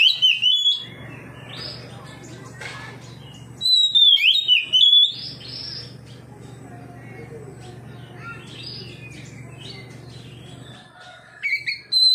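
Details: Oriental magpie-robin responding to another magpie-robin by singing out its repertoire; brief sharp whistled phrases come at intervals of several seconds, with long stretches of low steady hum between them.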